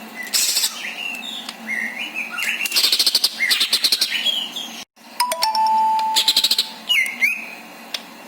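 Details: Greater green leafbird in full song, singing a long varied fill-in song meant to lure other leafbirds into singing: clear whistled phrases, rapid dry chip trills, a long level whistle and a looping slurred note.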